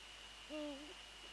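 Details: Eurasian eagle-owl near the nest at night, 13 January 2014, during a prey transfer: a single clear, level tonal note with a slight upward kink at its end, against faint hiss.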